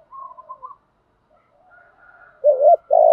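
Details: Spotted dove challenge cooing used to train decoy birds to sing along: soft, quiet murmured coos give way at the end to a loud, low, wavering double note followed by a sustained coo.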